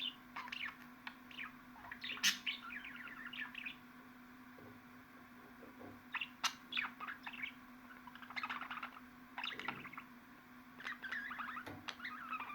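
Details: Budgerigar twittering in clustered bursts of chirps and squeaks separated by short pauses, with one loud squawk early on and a steady low hum throughout.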